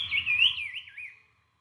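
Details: A brown-cheeked fulvetta, shown as a model call that drongos mimic, gives one high, wavering whistled phrase that warbles up and down and fades after about a second, over a low hum.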